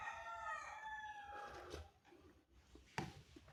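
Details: Rooster crowing on a cool morning: a loud, rich crow that falls away over about a second and a half, followed by quieter rustling and a sharp click.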